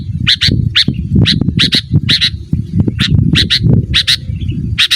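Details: Sooty-headed bulbul calling to lure rivals: abrupt paired chip notes repeated throughout, several in quick doubles, over heavy low-frequency rumble.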